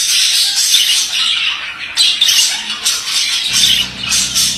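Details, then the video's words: Male budgerigar warbling busily, high rasping trills and squeaks running continuously, with a low steady hum entering near the end. "Erkek muhabbet kuşu sesi"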